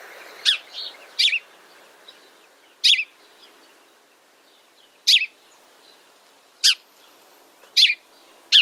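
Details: House sparrows, described as noisy, gregarious birds, giving loud, harsh single chirps spaced irregularly every one to two seconds, seven notes in all, with quiet soft chatter between them.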